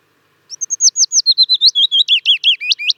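Willow Warbler song: a quick, sweet cascade of about twenty soft notes that slides down from high and ends in fuller, slurred phrases.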